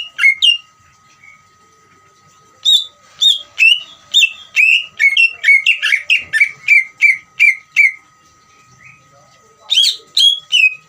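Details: Ngeriwik-style trill of a greater green leafbird, used to provoke rivals into song: brief opening notes, a two-second gap, a long rapid series of clear down-slurred whistles, another pause, then a final short burst; thin constant hum throughout.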